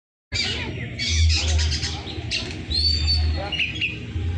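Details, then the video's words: Oriental magpie-robin singing actively in a harsh-voiced style: rasping broadband bursts and chattering notes, then a clear whistled, slightly falling note and short chirps, over a steady low hum. "kacer gacor,suara kasar"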